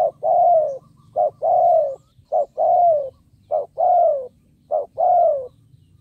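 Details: A spotted dove used as a decoy to lure wild birds repeats an even, rhythmic pattern. Five phrases, each a short note followed by a drawn-out coo descending in pitch, come roughly every second, over a low background hum.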